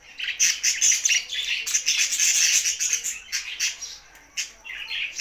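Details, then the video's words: Several budgies in happy song: dense, continuous high chattering warble of scratchy chirps and squeaks, loud throughout with brief pauses near the end. "Budgies Sounds for Lonely Happy singing"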